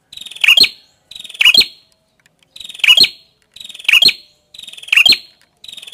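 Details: Song of the prenjak kepala merah (prinia): six crisp high phrases, each a rapid buzzy stutter then clipped chirps, repeated roughly once a second in steady rhythm against a quiet background.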